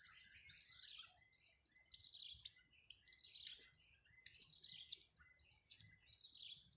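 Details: High, sharp chirps of a blue-crowned hanging parrot during a luring session, given in quick, fairly irregular bursts after a quieter start, with a faint steady high tone running beneath.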